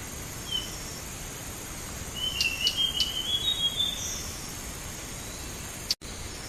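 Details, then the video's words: Blue whistling thrush song used as a bird-trapping lure: a short series of clear, high whistled notes lasting about a second and a half, over a steady high insect-like hiss and a sharp click near the end. "ANIS BIRU PIKAT"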